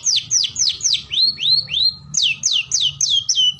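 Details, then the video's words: Long-tailed shrike, called cendet in Indonesia, delivering quick sharp descending whistles, a run of rising upswept notes in the middle, then more falling whistles, about three or four each second. "SUARA BURUNG CENDET GACOR - SUARA MERDU"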